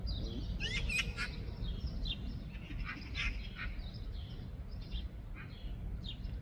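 Eurasian magpie giving scattered harsh, scratchy calls in short irregular bursts over a steady low rumble of wind or traffic.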